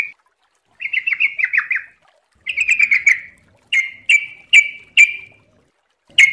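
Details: Yellow-vented bulbul (trucuk) in rapid ropel song for tutoring: a rippling run of bubbly notes, another short run, then four loud separate chirps, evenly spaced about half a second apart.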